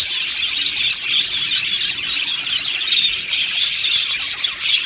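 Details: Contented budgie colony in an aviary, dense overlapping chirping and warbling at a high pitch, a constant lively babble throughout.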